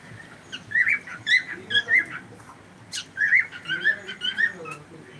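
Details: Cockatiel kept as a pet chirping in two runs of warbled, slightly buzzy whistles, broken by a brief sharp noise between them.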